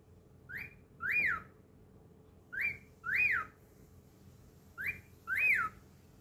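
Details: Pet cockatiel giving pairs of whistles, a short note followed by a louder arched rising-and-falling whistle, repeated three times over a constant low hum.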